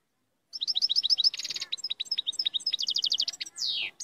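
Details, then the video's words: European goldfinch, locally called maqnin, singing powerfully: rapid, high twittering notes in quick series, buzzy trills and a descending slurred whistle near the end. "تغريد مقنين قوة"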